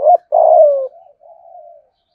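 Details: Decoy spotted dove with 'giọng thổ' voice giving part of its thúc, gù and gáy calling: a short coo, then a long loud falling coo trailing into a softer, fading murmur.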